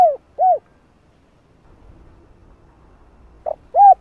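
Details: Spotted dove calling coos, used to lure and train a decoy bird: two low, rounded hooting coos in quick succession, a pause with faint low rumble, then a short note and another coo.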